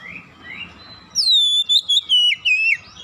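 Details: Oriental magpie-robin singing as a lure to encourage birds to sing: after faint rising chirps, a loud, clear whistled phrase of several notes steps and wavers downward, with a low background rumble.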